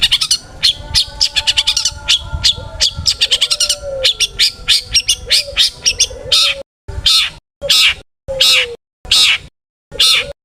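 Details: Pentet, or long-tailed shrike, in full song used to rouse other shrikes: a long rapid chattering series of clicks and chirps, then five loud harsh bursts spaced under a second apart, with a low whistle underneath.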